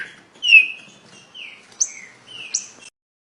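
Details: Fast song of a trinca-ferro, the green-winged saltator: several slurred, falling whistles with short sharp high accents, then silence.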